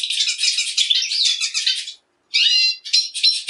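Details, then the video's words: Song of a Black siskin: a fast buzzy twittering warble for two seconds, a short pause, then a renewed burst with clear whistled notes and chattering trills. "Negrillo Boliviano! Llamado! Sonido! Cantando! - Black Siskin Song - Spinus Atratus"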